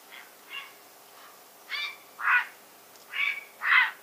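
Grey heron giving harsh, croaking squawks in loose pairs, about six rough calls over four seconds, the later ones louder and hoarser.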